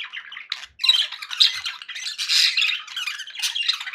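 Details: Pet budgies in a cheerful mood, a busy stream of raspy warbling and bright squeaky chirps, rising in intensity after a short gap near the first second, no other sounds present.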